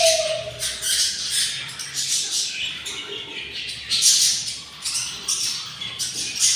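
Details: Near-continuous rough, wheezing begging calls from six hungry budgie chicks in their nest at day 24, with pulses crowding together and rising in intensity, plus a brief low hum at the start.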